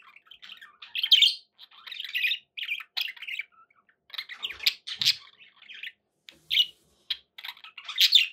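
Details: Indoor budgie chatter: buzzy, crackling warbles and piping chirps strung together in uneven phrases, with a few sharp squawks and short pauses.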